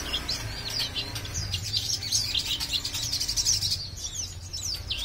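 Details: Kept crimson sunbird, tested alone to see if it will sing, producing a continuous stream of rough, very high, scratchy chirps and twitters over a low rumbling background.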